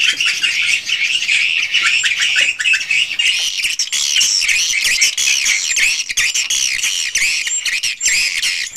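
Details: Crowd of swiftlets calling in a swiftlet house, raw unedited sound. Strings of quick arched chirps, rising then falling, tumble over one another in a loud, continuous high-pitched twitter with occasional thin whistles.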